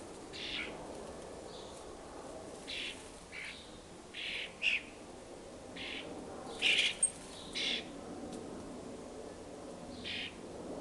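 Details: Young common starlings beg noisily as they fly after their parents around a fat ball, the family nesting four storeys up; a series of about ten harsh, scratchy, noisy bursts spaced irregularly every second or so, some louder and overlapping.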